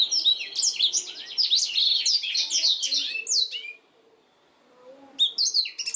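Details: Black-throated canary singing a rapid jumble of high trills and slurred whistles as a canary training recording, falling silent for over a second before resuming briefly.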